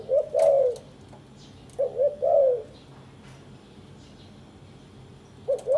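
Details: Caged spotted dove pair courting and nest-building after three days together: mellow low coo phrases of two short notes followed by a drawn-out falling coo, two full phrases and the start of a third, in quiet surroundings.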